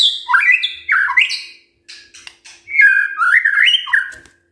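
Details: Morning white-rumped shama song meant to stir silent birds to answer: loud varied whistles, sliding up and down, harsh squawky notes mixed in, short gap midway before another run of rising and falling phrases.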